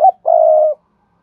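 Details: Single spotted dove coo for training newly caught doves: a short clipped note, then one steady, low, hoarse drawn note of about half a second.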